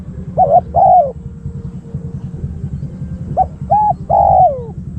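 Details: Spotted dove kept as a decoy to lure wild doves: two cooing phrases, each a short doubled note followed by a longer, falling coo, over a low steady rumble.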